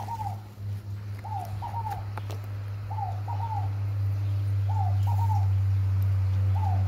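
A scaled dove repeats soft, hollow coos, mostly in quick pairs about every one and a half seconds. A steady low rumble and a faint high whine run underneath.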